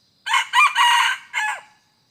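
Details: Crow of a red junglefowl, noted on 2 November 2021 during decoy trapping of wild birds: one strident cock-a-doodle-doo in four segments, the last tailing off downward, with no other sounds.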